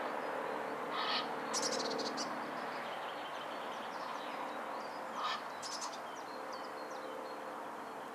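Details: A courting Egyptian goose pair on a pond beneath a stork nest at Hervester Bruch, Dorsten, Germany, gives harsh, hoarse bursts of calling in short rapid series, with a steady low hum underneath.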